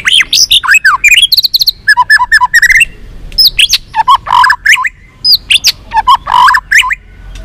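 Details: White-rumped shama song meant to provoke fighting: a dense, varied run of whistled notes, sharp sweeps and rapid trills in quick succession with brief gaps, loud and clear against quiet background.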